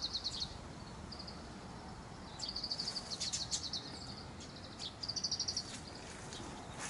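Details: Oriental greenfinches singing in a camphor tree thicket, later moving to a wire, on 25 April 2018 at 17:32, give short bursts of rapid, high, buzzy trills, several phrases in seven seconds, over a steady background hiss.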